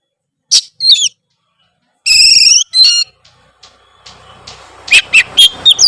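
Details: Oriental magpie-robin singing gacor with isian fill-ins. Scattered high chirps and a harsh harmonic buzz, then steady background noise under a series of sharp, evenly spaced notes.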